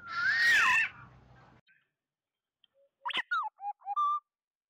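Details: Oriole call meant to gather the flock, used as a lure: one rich, slurred whistle, silence, then a quick series of short whistled notes ending on a steady tone.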